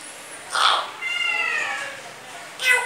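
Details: Grey parrot (Psittacus erithacus) after a bath gives a raspy burst, then a drawn-out speech-like phrase with rising and falling voice (mimicking phrases such as "kia hua", "mitthu kon hai"), ending with a harsh cough-like sound.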